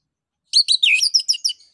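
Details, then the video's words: Orange-headed thrush in full ngeplong song, used as a lure to get other birds singing: a rapid, dense chain of rich warbled whistles, rising and falling, packed into about a second of varied notes. "ANIS KEMBANG NGEPLONG UNTUK PANCINGAN"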